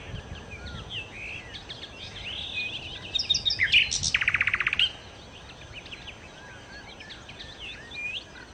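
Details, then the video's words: Sikatan londo, the nightingale, gives quiet scattered twitters and whistles, then a loud burst of high notes and a fast rattling trill of repeated notes lasting about a second and a half, before returning to soft twittering. "kicau Sikata Londo( Nightingale Birds )-Kicau Burung"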